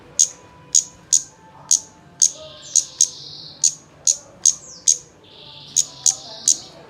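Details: Malaysian pied fantail (kemade) lure audio for prompting song: rapid sharp high clicks repeated about twice a second over sustained thin buzzy whistled phrases.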